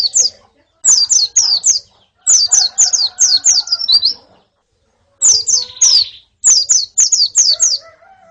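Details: A group of white-eyes, females among them, for conditioning a male's song: quick series of high, downslurred chirps in four- to six-note bursts with short silent gaps, faint lower tones underneath.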